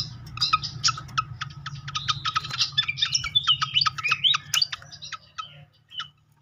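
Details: Srikatan kipas (fantail) singing as a lure to make birds respond: a long rapid stream of sharp high chips and twitters, quickening in the middle, then fading to sparse notes over a steady low hum.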